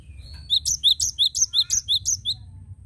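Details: Loud, close cinereous tit song, 'gacor' style used as a lure: about ten crisp, high two-note whistles repeated rapidly and evenly over two seconds against low background hum.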